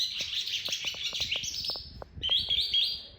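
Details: Young captive calandra lark learning its rolling song: a long, slowly falling twittered phrase, then clear high whistled notes, with a series of faint clicks in the background.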